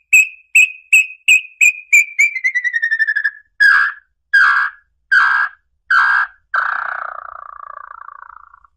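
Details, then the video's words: Red-legged tinamou song used to attract birds: a series of clear whistled notes that speed up and slide lower, then several longer, fuller notes and a final drawn-out, falling whistle. The background is silent. "canto para atrair lambu pé vermelho"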